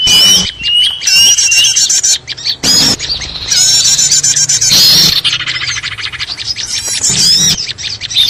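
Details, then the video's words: Noisy chorus of small birds used as a lure to attract birds for trapping: dense high chirps, squeaky twitters and rising whistled notes overlap continuously, with brief squawky bursts and short pauses. "suara ribut pikat burcil"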